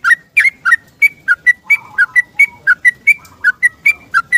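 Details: Morning song of a yellow-vented bulbul seeking a companion, used to lure silent bulbuls kept at home into singing: a steady run of short whistled notes, about four per second, alternating slightly lower and higher pitches.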